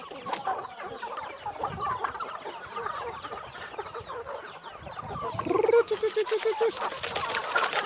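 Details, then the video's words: Flock of free-range chickens at feeding in Minas Gerais, Brazil, clucking and chattering together; near the end a sustained nasal tone cuts in, followed by loud repeated clicking noises. "Tratando das Galinhas Caipira ou india- Chicken Creation / Treating the Chicken"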